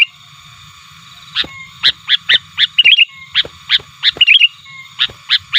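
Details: Sooty-headed bulbul calling to challenge rivals and lure wild birds: short, bright chirped notes repeated about twice per second after a quiet start, some notes doubled into quick warbles, with a faint low hum underneath.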